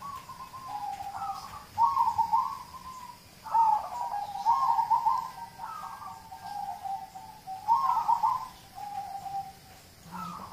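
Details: Zebra dove, local type, whose song serves to prompt other birds to sing: steady sequence of trilled, rolling coos in repeated phrases, each brightening then sliding lower, for about ten seconds with brief gaps.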